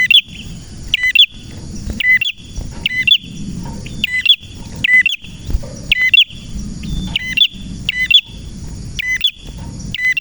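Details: Persistent male red prinia song, loud clipped double chirps repeated about once a second through the whole stretch, with a thin steady high tone and quiet low rumble beneath.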